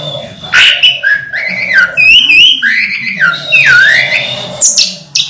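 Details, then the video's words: Orange-headed thrush in moult, kept caged and still singing: lower, fuller whistled notes that swoop and slur, with several rising and falling glides and short sharp high accents. "Anis merah mabung masih teler"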